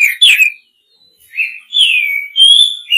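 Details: Male white-rumped shama singing to call a female: rich, sweeping whistled phrases, some rising and some falling, broken by a short pause and sprinkled with thin high notes.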